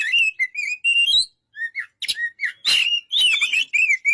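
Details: White-rumped shama song of clear whistled phrases, rising and falling, interrupted by a couple of harsh noisy notes.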